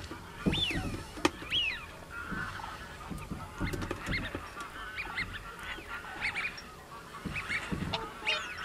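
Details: Common cranes calling, several birds overlapping: loud arched, ringing honks rising then falling, scattered across the clip, with sharp clicks and a low rumbling background.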